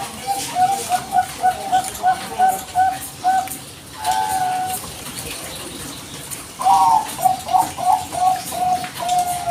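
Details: Bangkok zebra dove in full voice, played as a lure to make other birds reply without pause; rapid strings of short, even cooing notes, broken by one longer drawn note, then a fresh rippling series.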